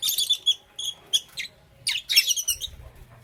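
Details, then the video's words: Morning chirping of pet lovebirds, Parblue Euwing green opaline and green opaline: a run of short, bright, high tweets spaced irregularly, then a louder cluster of harsh chirps near the end. "Lovebird Chirping Sounds"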